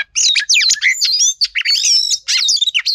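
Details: Female Oriental magpie-robin, used to draw out male singing: loud, rapid, tightly packed twittering and looping whistled phrases in three bursts.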